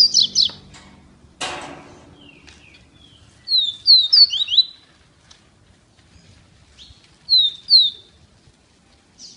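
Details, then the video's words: Coleiro, a double-collared seedeater from Feira de Santana, Brazil, delivers short bursts of quick, high downslurred whistles repeated several times, with one loud knock early on and faint low background noise. "COLEIRO IMPERADOR"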